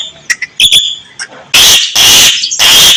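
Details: Javan myna (jalak kebo) in full, rich-filled song: a few clicks and short whistles, then three long, loud, harsh rasping bursts separated by short gaps.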